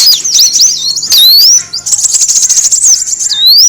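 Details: Kolibri wulung sunbird lure recording: rapid, high, thin twittering of sharp rising and falling whistled notes, broken by a short pause near the middle, then a dense buzzy chatter ending in an upslurred whistle.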